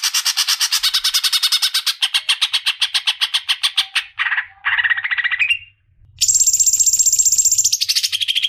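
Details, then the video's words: Leafbird, locally cicak ijo, in a long 'ngerol' singing run: dense fast chatter of rasping notes, shifting to lower, quicker trills, a short silence, then high, thin sustained twittering phrases. "Burung Cicak ijo ngeroooollll"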